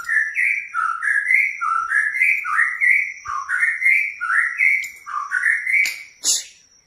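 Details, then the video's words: White-rumped shama song played to provoke a caged shama into singing and bringing out its learned filler songs; a clear whistled two-part phrase, low then rising, repeated about nine times in quick succession, ending with sharp clicks. "Pancing Emosi Murai Anda Biar Gacor Dor"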